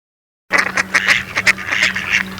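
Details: Mallard ducks: after a brief silence, a dense run of short, rapid nasal chattering notes from several birds, with a steady low mechanical hum underneath.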